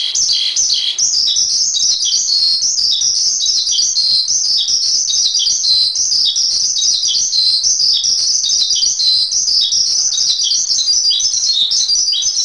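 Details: Twelve seconds of intense, high chattering song from a Javan pied starling, or jalak suren, in a masteran, as fast twittering notes blur into a near-continuous stream with occasional louder slurs.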